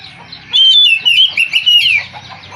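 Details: White-rumped shama, a valuable cage bird, giving a short burst of loud, warbling whistled notes in quick rising and falling phrases over a faint hum.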